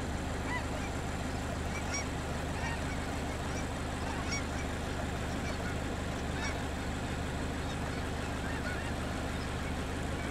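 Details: Snow Geese and Aleutian Cackling Geese at the Beckwith Observational Platform, San Joaquin River National Wildlife Refuge, southwest of Modesto, California, on February 2, 2024: scattered short honks, irregular and overlapping, over a steady low rumble.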